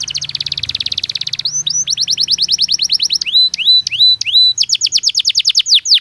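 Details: Belgian canary singing naturally: opens with a long rapid buzzing trill, then shifts into rows of quick sweeping notes and a few curved whistles before another fast trill.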